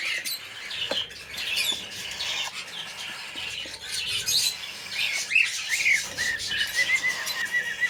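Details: Pearl lutino cockatiel chicks give busy, raspy chirps and squeaks in an irregular, overlapping chatter.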